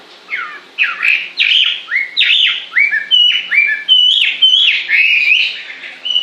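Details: A bird sings sweet whistled notes that slur downward, repeated about every half second in a lively, steady series.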